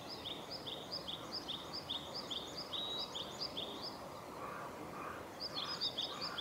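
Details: A varied tit sings its spring song at Gongenyama on 11 April 2021: a quick series of high, paired whistled notes, about two a second, pausing and resuming, over steady background hiss.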